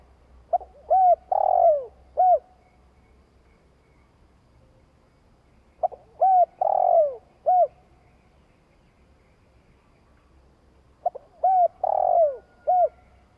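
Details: Spotted dove repeating its long, stimulating coo: three phrases about five seconds apart, each of four or five hollow hooting notes, with a longer descending note near the middle. Faint low rumble behind.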